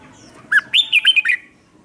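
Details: Lure red-whiskered bulbul singing to draw in wild bulbuls for song duels. Brief loud warbling phrase of five or six slurred, ringing whistled notes, rising then falling, in a quiet setting.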